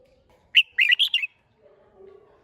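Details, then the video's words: Red-whiskered bulbul, hót đấu competition song: one sharp opening note, then a fast rolling run of three or four slurred whistles, followed by a faint low murmur. "Chào Mào Hót - Kích Chim Hót Xung"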